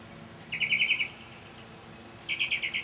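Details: A mockingbird sings on a May evening in 2007, delivering two fast rattling trills of clipped, evenly spaced notes separated by a pause of over a second.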